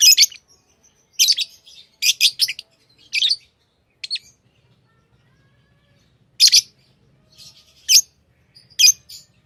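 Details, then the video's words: Lovebird chirping with clusters of sharp high shrill chirps, some in quick doubled or tripled bursts, separated by irregular silent gaps. "Love birds Sounds | lovebirds chirping sounds"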